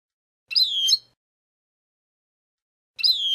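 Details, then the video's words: Abou Khalil style song of a European goldfinch, played to teach young chicks: a brief bright twitter of descending slurred notes, then quiet, then the same phrase beginning again about two and a half seconds later. "لغة حسون أبو خليل الأكثر متعة لتسميع الفراخ"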